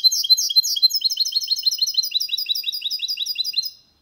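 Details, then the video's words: Goldfinch × canary hybrid singing cleanly, a song used to stimulate males to sing and teach young birds: fast, high twittering notes in tight repeated runs, bright and slightly buzzy, dense throughout. "Mixto de Jilguero Cantando Limpio 2022 para Estimular"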